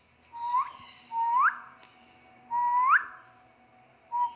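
A grey parrot gives clear, rising whistles that swoop upward at the end, repeated about every second and a half in a quiet indoor room.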